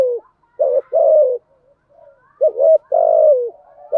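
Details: Lure coos from a spotted dove, kept as a decoy female to attract wild doves: a short coo, then pairs of notes leading into long, slightly falling, throaty drawn coos, with quiet low murmurs between.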